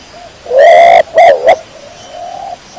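A pigeon gives one low, throaty coo of about half a second, then two shorter coos in quick succession, against a quiet background.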